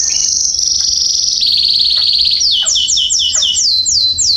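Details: Canary song from a garden, September 2020: a continuous high buzzy trill gives way to a series of clear, repeated downslurred whistles, each about a third of a second apart.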